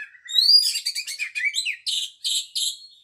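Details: Singing Oriental magpie-robin: rising whistles lead into dense, scratchy chatter, followed by evenly spaced harsh double notes repeated about every third of a second.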